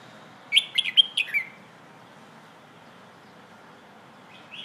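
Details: Red-whiskered bulbul, hoot song style played to teach young birds: one quick phrase of about five bouncy whistled notes ending in a slurred drop, followed by a long quiet pause and a faint final note.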